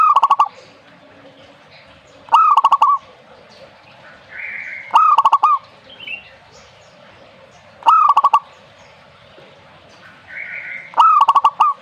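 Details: Zebra dove repeating its song steadily, about every two and a half to three seconds: each phrase a clipped rising note that breaks into a rapid rattle of soft, even-pitched coos, with faint chirps from other birds between phrases.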